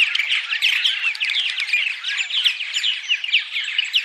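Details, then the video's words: Purple martins giving dawn song, a recording used before dawn to draw arriving migrant martins to nest sites: busy overlapping gurgles, liquid chirps and short rising notes, unbroken throughout. "Dawn Song CD - Purple Martins"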